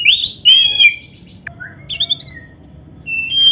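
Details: Oriental magpie-robin song played to prompt other magpie-robins: clear sliding whistles, a bright falling phrase, scattered sharp notes and a few longer pure tones with quiet gaps.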